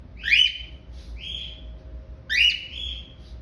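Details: A pet cockatiel (Nymphicus hollandicus) gives loud, rising whistled contact calls with a harsh, slurred edge, repeated about every second.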